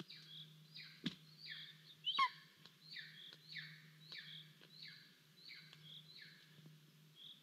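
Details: A golden eagle chick on a nest in Estonia on 10 July 2022 begs for food as the parents bring prey, giving thin, high, downslurred whistles about twice a second over a low steady hum and a few sharp knocks.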